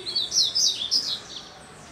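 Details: Upside-down singing Double-collared seedeater delivers a short phrase of three or four bright, high, slurred whistles in under a second, fading afterward.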